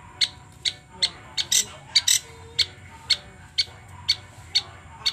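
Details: Long-tailed shrike song played to provoke a captive bird into singing: sharp, harsh notes at a steady pace of about two per second, each a brief broadband burst, with faint background hum.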